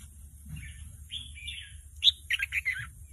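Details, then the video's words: Learning red-whiskered bulbul chick answering a played lure recording; soft slurred whistles at first, then a loud bright burst of rapid chirpy notes in the second half. "ลูกนกกรงหัวจุกหัดร้องเบิ้ล ยังไม่เป็นเพลง"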